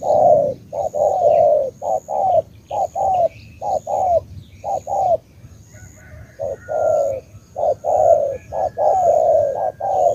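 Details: Spotted dove from Cà Mau, Vietnam, with rhythmic runs of short, low, soft coos, a pause midway, then the cooing resumes; a faint whistle and high hum sit behind.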